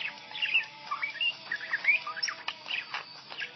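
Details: Pet budgerigar chirping along to the Hindi film song Munni Badnaam Hui playing on a phone: quick warbled chatter of short bright chirps, slurred whistles and clicky notes running without pause, with faint music underneath.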